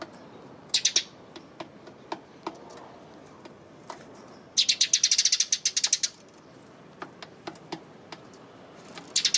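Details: Eurasian tree sparrow, 28 May: brief chirp bursts, then a dense second-long chattering run of overlapping high notes, followed by sparse clicks and a final chirp burst.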